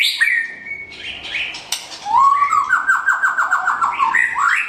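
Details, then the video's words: A white-rumped shama with blorok white-patched plumage sings: rising whistles, then a fast rattling trill of repeated notes, ending in a bright upward sweep. "Aksi Murai Batu Blorok Suara Mantap"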